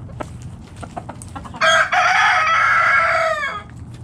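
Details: Foraging backyard chickens in the morning: scattered short clucks, then a long, loud, rich crow of about two seconds that sags in pitch at its close, with a faint hum underneath.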